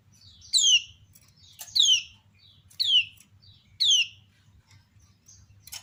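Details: Female kecial kuning (white-eye, also known as pleci lombok) giving sharp ciak calls that draw replies from other birds: four bright, downward-sweeping chirps about a second apart, with faint twittering between.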